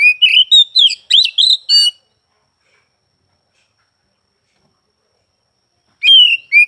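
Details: Oriental magpie-robin (kacer), recorded at some time across morning, afternoon and night: about two seconds of quick, choppy whistled and chirped notes, then four seconds of silence, then another short whistled phrase.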